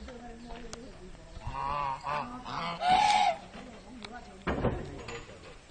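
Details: Farm geese defending the territory around a house against visitors: a few nasal honks rising and falling, one louder drawn-out honk mid-way, then a harsh burst, with human voices and background noise.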